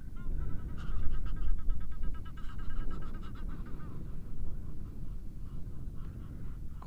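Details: Egyptian geese passing overhead in flight in African bush on 12 October, heard constantly all day: a rapid run of harsh, nasal honks and hoarse puffs about twice a second, over steady low rumbling wind noise.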